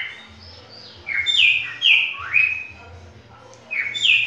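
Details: Whistling in imitation of a green-winged saltator, a cockatiel sings sharp descending slurred notes in a rapid sequence, then a pause and a final high whistle, with low rumbling noise behind.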